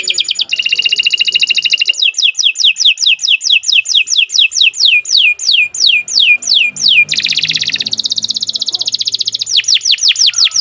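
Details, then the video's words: Captive canary singing, used as a training recording for other caged birds: fast rolling trills alternate with long series of rapid, high, downward-sliding whistled notes repeated several times a second, loud and continuous. "Kicau Burung Kenari"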